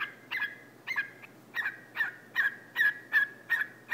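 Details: Pet whiteface lutino cockatiel, male, barking at its owner's foot after preening on a couch; a series of grating, nasal bark notes spaced roughly every half second in a quiet room.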